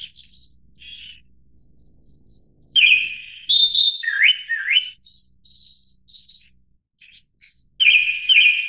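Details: Japanese thrush (Turdus cardis) song: rich fluty whistled phrases with slurred upward notes, followed by softer high twitters and short squeaky notes, then another loud whistle at the end.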